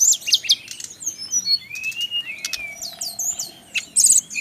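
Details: Brown-chested jungle flycatcher male from the Bali region, kept bird. Mixed high chirps and clear, smoothly rising and falling whistles, a long gliding whistle in the middle, then bursts of sharp high notes over faint background hum.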